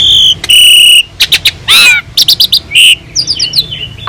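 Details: Asian pied starling (jalak suren) master song with a full varied repertoire used to train other birds: a sustained high whistle, rasping buzzes, a wavering rising-falling note and short clipped chirps in quick succession.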